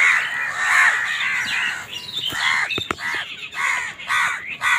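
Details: Crows fighting over food: a dense tangle of harsh, overlapping caws and squawks, some rising and falling, with sharp clicks between the cries.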